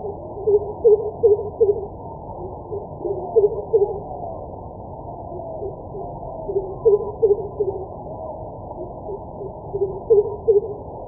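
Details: Greater coucal (crow pheasant) giving deep, hollow hoots in short runs of four to six notes, repeated every few seconds over a low, steady background rumble.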